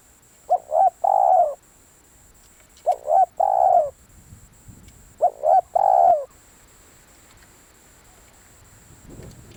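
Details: Spotted dove used as a decoy bird, calling to lure others: three-part cooing phrases, two short rising notes then a long drawn-out coo, given three times about every two and a half seconds in a quiet setting.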